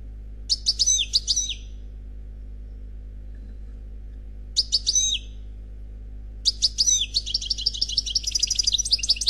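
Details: Khalwi-style song of an unpaired European goldfinch: three phrases of liquid, high twittering with quick rising and falling slurred notes, the last long and running into a fast, tinkling chatter. Long silent gaps between phrases and a steady low hum underneath.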